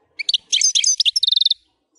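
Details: A wild European goldfinch delivers a brief, loud phrase of tinkling, jumbled high notes that ends in a fast, even trill of repeated sharp notes.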